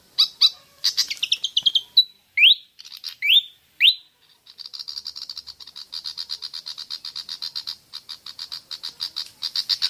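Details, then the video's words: Lure recording of a pied fantail: several bright rising whistled notes after quick chips, then a long, steady train of rapid, dry, high ticking notes continuing to the end. "Pancingan suara burung kipasan/srikatan jawa javanica)"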